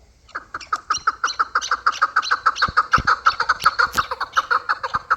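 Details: Chukar partridges, hybrid and local birds, in a loud rhythmic series of clipped chuk notes that quickly speeds up and stays even, roughly three per second, with a few clicks and knocks in the background.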